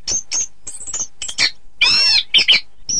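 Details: Short passage of Orange-headed thrush song for contest training: thin high whistles and chips, then a rich harmonic warble and a few sharp high notes.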